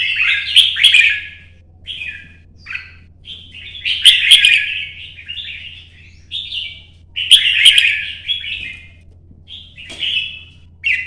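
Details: Red-whiskered bulbul singing competition song, a kept bird hopping between perches. Bright, warbled, slurred phrases repeat about every one to two seconds, some rich and loud, others short and clipped, over a faint steady low hum.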